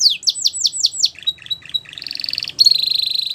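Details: Belgian canary song for teaching young canaries: several loud swooping downslurred whistles, soft clipped notes, then a buzzy rattling trill and a higher steady rapid trill.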